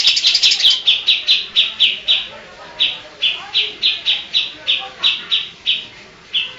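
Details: Greater green leafbird with a filled-in repertoire of Kapas Tembak, Cililin, Tengkek, Lovebird and Cucak Jenggot songs: an opening burst of fast notes, then loud sharp high chips spaced roughly every third of a second.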